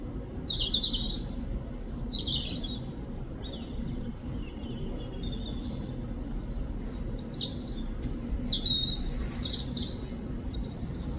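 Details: European robin from the UK singing bright, high phrases: fluid trills and descending slurred notes in separate bursts, with gaps between, over a low background drone.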